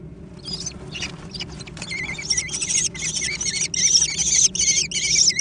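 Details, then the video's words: Nestling American kestrels competing for food, producing loud continuous trilled squealing that builds in intensity, notes blurring together in a dense, rasping chorus. "小隼的搶食大戰 (American Kestrel)"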